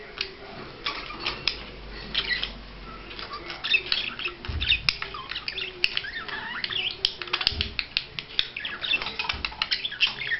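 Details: Budgerigar in courtship display, giving a continuous warbling chatter of rapid scratchy chirps, clicks and squeaky notes packed closely together, with a few sharp tick sounds near the middle.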